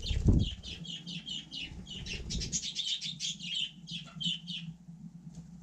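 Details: Budgerigar on frozen snow, calling in a quick, even run of sharp chirps, about five per second, after a loud thud, over a low constant hum.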